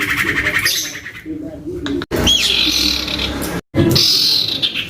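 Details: Young captive common iora in full, agitated song, used to prompt other ioras to sing: loud whistled notes and fast buzzy trills high in pitch, with brief breaks, plus low background rumble and faint voices.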